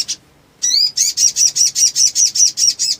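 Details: Black sunbird singing energetically in a fired-up, emotional burst. A brief high chip and a sweeping note lead into a fast run of buzzy, high-pitched notes, about six per second, that hold steady in pitch.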